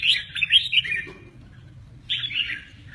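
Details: Red-whiskered bulbul delivering 'mơ ché nẹt' song with wing display: a quick one-second phrase of liquid slurred whistles, a pause of about a second, then a second warbling phrase.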